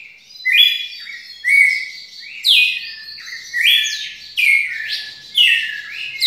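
A red-cowled cardinal sings a long series of clear, slurred whistled phrases, rising and falling, roughly one per second, with no other sounds.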